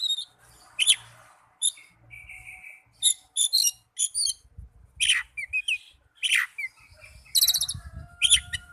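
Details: Oriental magpie-robin, recording aimed at making young or silent birds sing: varied sharp chirps, short whistles and a high trill, over a low rumbling background noise.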